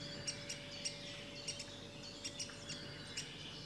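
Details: Great spotted woodpecker adult with young; short sharp high calls in quick clusters, with faint chirps and a steady hum behind.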